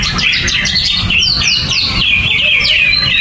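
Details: Greater green leafbird sings with no cover and no banana: quick descending whistled strokes give way to long, clear sliding whistles and chirps, above faint low hum.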